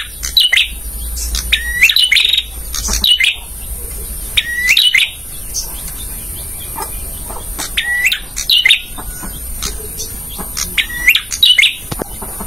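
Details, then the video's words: Male bar-winged prinia singing, material for training caged birds: sharp up-slurred whistles and chirp clusters repeated roughly every one to two seconds, loud and bright, with a constant high-pitched hum behind. "suara masteran burung prenjak jantan"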